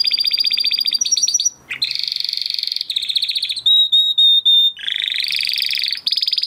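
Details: Crested Spanish Timbrado canary bred in 2020, singing training song of rapid metallic trills, a sliding buzzy note, pure repeated whistles held steady, and resumed rolling trills at varying pitch.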